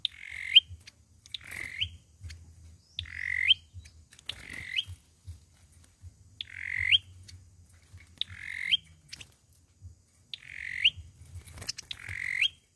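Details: Olive-backed sunbird fighting song for trapping: a series of harsh, buzzy upslurred notes, about seven in total, spaced irregularly one to two seconds apart, with low hum beneath.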